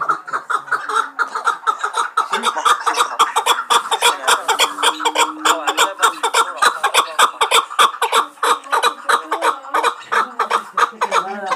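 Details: Chukar partridge from Muminobod, kept as a hunting bird, calling loudly in a fast, continuous series of sharp clucking notes that runs for the whole stretch, with a faint voice underneath.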